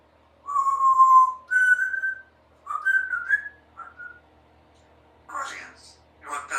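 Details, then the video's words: Pet female Congo African grey parrot, three years old, practising sounds at home: clear whistled notes, a long steady tone, then higher and wavering whistles, followed by two harsher noisy bursts, in a quiet room. "African Grey Parrot practices her words and sounds"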